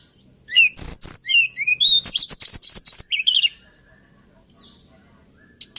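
A hill blue flycatcher sings sweet, high whistled notes that slide up and down, then a quick run of bright, chattering twitters. The song lasts about three seconds.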